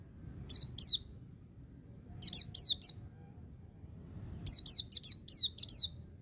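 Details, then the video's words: Ngecir song joined to ngalas from a white-eye, meant to stimulate birds in training: three clusters of piercing high descending notes, two, then three, then six, separated by short silences. "Suara Burung Pleci Ngecir Sambung Ngalas"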